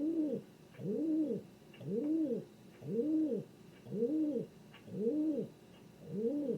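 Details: A king pigeon coos in an even rhythm, seven deep rounded notes, each swelling up and dropping back, spaced just under a second apart, with faint ticking behind.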